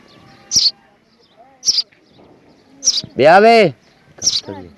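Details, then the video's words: A young rescued house sparrow gives short, sharp chirps about once a second, with one longer, drawn-out human vocal sound partway through. "sparrow birds sounds / sparrow bird sound effect/ This is how sparrow baby /rescue bird"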